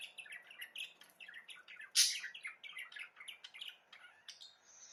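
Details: Budgerigar song: rapid chattering warble of short buzzy chirps and squeaky notes, with one loud harsh burst near the middle.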